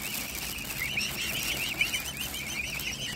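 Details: A brood of mute swan cygnets taking food from a hand gives an unbroken stream of high, wavering whistled peeps, overlapping voices throughout.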